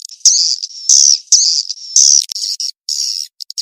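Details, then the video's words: Swiftlet calling lure of the mating-chase type. High, rasping chirps come in short bursts of about half a second, separated by brief gaps, with a thin whistled tone between some bursts. "SUARA PANGGIL BURUNG WALET‼️ REVISI SP KEJAR KAWIN ORIGINAL‼️"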